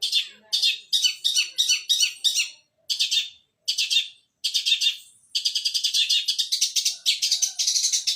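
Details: Long-tailed shrike in fighting mode, delivering sparrow-style singing: bursts of sharp, high chirps repeated roughly twice a second with short pauses, then a continuous rapid chatter of scratchy notes.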